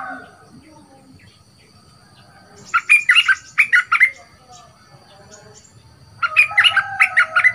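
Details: Young caged bulbul, a new decoy bird in training, caged for two months and loud-voiced: a quiet start, then two bursts of rapid, emphatic chirping phrases separated by a short silence.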